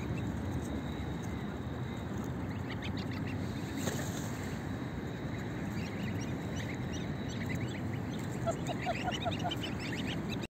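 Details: A large greylag goose family feeding on oatmeal gives soft, nasal honks and chattering calls against heavy, low rumbling background noise.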